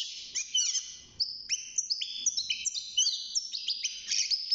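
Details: Young caged European goldfinch, six months old, beginning to sing: a lively run of high twittering notes, short rising and falling slurs and clear whistled phrases in quick succession, with faint low background rumble.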